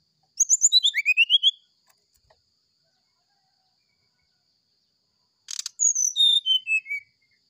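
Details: Brown-chested jungle flycatcher singing its flute-like sulingan song in the morning, used as a tutor recording. A burst of quick stuttering whistles stepping downward, a long silence, then a click burst followed by clear slurred whistles falling in pitch.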